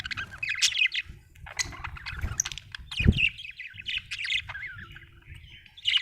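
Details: Budgerigar warbling with a stream of scratchy chirps and a few louder squawks, plus one sharp knock midway, against low background rumble.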